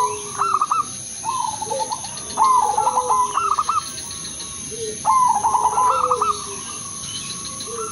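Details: Zebra dove of the Udanmas silver crossing line, kept as a singing lure for other doves: staccato trilled coo phrases repeated every couple of seconds, lower sliding notes, and faint steady high hum in the background.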